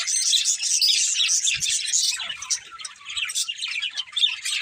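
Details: Budgerigars of one family twitter in a loud run of bright warbling chirps that softens midway into more scattered, separate tweets.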